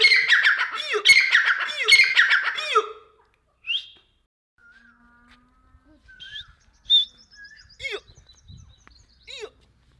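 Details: Deccani teetar, a grey francolin, calling loudly with dense harsh phrases for about three seconds, then quiet scattered chirps and faint notes.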